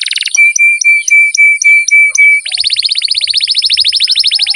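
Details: Canary singing for young birds reluctant to sing: a series of clear whistled notes repeated about four times a second, then a fast, dense, bright trill. A constant high tone runs underneath.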